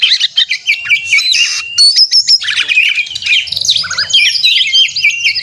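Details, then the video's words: Kacer, white-rumped shama, in a fighting-style song to provoke rivals: rich fast sequence of whistled notes, slurred phrases and buzzy chatter, with no pauses. "suara burung kacer gacor narung ini AMPUH buat pancingan KACER agar bunyi AUTO emosi kacer buka ekor"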